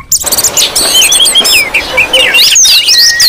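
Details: Noisy Oriental magpie-robin calling meant to lure and provoke other magpie-robins: a rapid tangle of high whistled notes, chirps and twisting slurs, several voices overlapping, ending with a thin sustained whistle.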